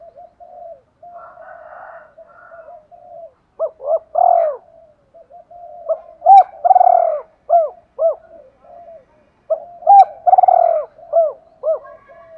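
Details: Spotted dove kept as a decoy, cooing to lure and provoke rival males; soft low hums run into repeated phrases of short coos around one loud drawn-out coo, about seventeen phrases a minute, quiet otherwise.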